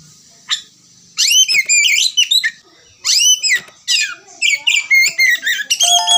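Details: Oriental magpie-robin (kacer) singing in the ngerewek style, used as a lure to prompt singing: bursts of loud, high, sweeping whistles and harsh chattering notes in quick runs, with short pauses between phrases.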